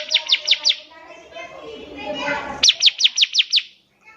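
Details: Energetic bar-winged prinia song used as training material for young captive birds: two quick bursts of sharp, high, descending notes, five and then seven. A murmur of voices fills the gap between them.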